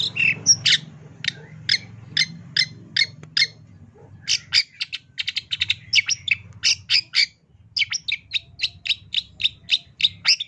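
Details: Master training recording of a long-tailed shrike in tembakan style: rapid runs of sharp, repeated chips, some spaced about half a second apart, others in dense bursts, with one brief pause midway.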